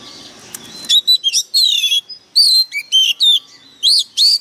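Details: Heated Oriental magpie-robin used as a lure, singing sharply: after a faint murmur, a loud string of varied whistled notes, slurs and quick chirps, with brief pauses between phrases.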